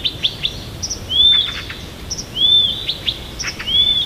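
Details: Siberian bird in morning song near Tomsk, repeating a high, smooth arched whistle roughly every one and a quarter seconds, interspersed with quick sharp chips and thin twitters.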